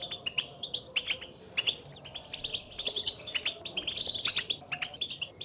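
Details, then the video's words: Goldfinches calling to announce their presence, calls used to excite a caged goldfinch into singing; bright high twittering notes, repeated quickly in uneven clusters throughout. "البتبتات لأخراج حسونك من صمته"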